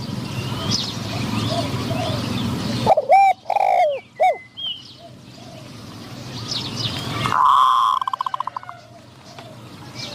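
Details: Decoy spotted dove luring wild doves: one loud cooing phrase of deep hollow notes, followed by a faint thin whistle, then a short burst of rapid clattering and a buzzy sound near the end.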